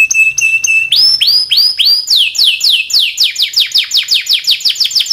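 A Timbrado canary sings a steady high note, then shifts into fast, repeated downward-sweeping trills.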